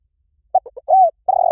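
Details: Spotted dove starting its call: three short choppy notes and a rounded hoot, then the long purring coo begins before cutting off.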